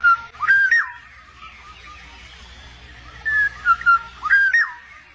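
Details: Black-naped oriole, one of a wild pair feeding nestlings in Indonesia, gives rich, flute-like whistles with quick upward and downward slurs, two phrases a few seconds apart.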